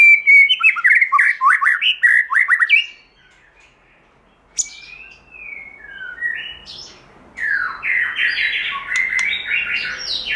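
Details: White-rumped shama singing in forest-voice style, used for song training and to rouse birds: rich, rapid whistled and warbled phrases with quick slurred notes, a short pause, then louder rising and falling whistles with buzzy high accents.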